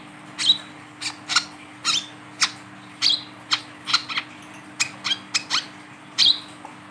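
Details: Wiceh bird held in the hand and singing, its voice used as a lure for other birds; short sharp chip notes repeated about twice a second, some with a bright whistled tip, over a steady low electrical hum.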